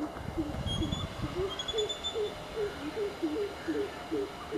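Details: Greater coucal giving a fast series of deep, hollow hooting notes, roughly two or three per second, slightly rising then level; thin high whistles from other birds and a low rumble near the start in the background.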